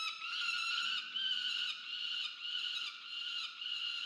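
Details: Peregrine falcon chick on a nest camera at Charles Sturt University, Orange, New South Wales, Australia, 13 November 2022, demanding food from its parent: a continuous harsh, wailing harmonic scream with brief dips at about 1 and 2.5 seconds.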